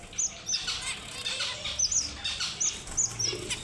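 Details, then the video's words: Thin, very high sweet notes from a red avadavat (strawberry finch), repeated about twice a second, over soft rustling and fluttering. "The Sweetest Sounds of the Strawberry Finch & Red Avadavat"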